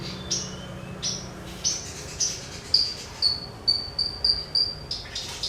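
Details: Javan bush lark singing, a recording meant to make other birds open their beaks and sing: high, clipped whistled notes, spaced at first, then a quick series of sharp piping notes repeated about twice a second.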